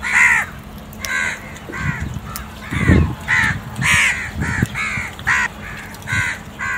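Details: Black crow caws while feeding with other crows, calling them to food: about ten loud, coarse, hoarse caws in quick succession, mixed with low thumping and scuffling noises near the middle.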